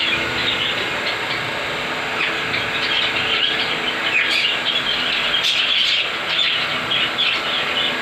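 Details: Pet parrots in a home bird setup (ringneck, cockatiels, budgies, sun conure) fill the air with dense, overlapping chirps and screeches, a constant high-pitched chatter.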